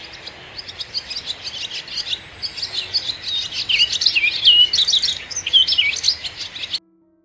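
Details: A barn swallow in the UK sings a fast, high twittering warble of chattering notes and squeaky slurred whistles, growing louder before stopping abruptly.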